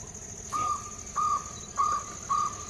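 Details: A wild jungle owlet at Silvassa, India, calling four short, even, mellow hoots at a steady mid pitch, about one every half second, over a continuous high insect drone.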